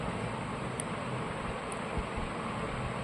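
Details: Steady broadband rumble like a passing vehicle, with no animal calls heard.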